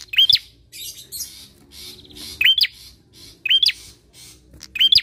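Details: Bar-winged prinia song played as a lure for other birds: four short, high, hooked whistled notes, each sweeping up sharply, spaced roughly every second and a half, with buzzy scratchy chatter between them.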